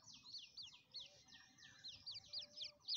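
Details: Grey francolin (Francolinus pondicerianus), chick calls.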